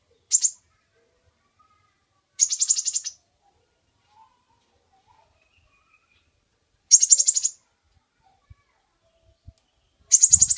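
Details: Hummingbird lure call, described as lively and chatty: four short bursts of very high, buzzy chattering, spaced a few seconds apart by long silences, with no other sounds.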